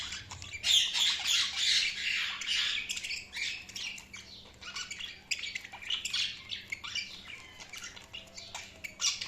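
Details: Chirping budgies keep up nonstop, fast, buzzy chatter; loudest in the first few seconds, then continuing as a rapid run of short high squawks and tweets.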